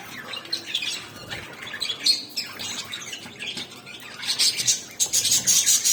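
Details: Budgerigars chatter happily while eating, with rapid, high, scratchy chirps and squawks, several birds overlapping.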